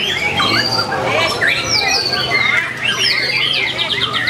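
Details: Murai batu, or white-rumped shama, in the top class of a bird-song contest held 9 February 2020, giving bright swooping whistles and ending with a rapid repeated trill, amid a dense chorus of other competing songbirds and low crowd noise.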